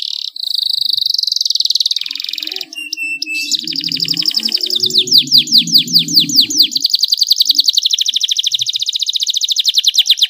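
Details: Canary song for stimulating other canaries to sing: a sustained buzzy trill, a short pure whistle, then long fast rolling trills and loud swept notes over a faint low murmur midway.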